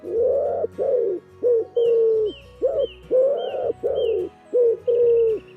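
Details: Common Wood Pigeon calling: a run of low, hollow, rounded coos, some short and some drawn out, in a steady rhythm over soft background music with faint high whistled notes.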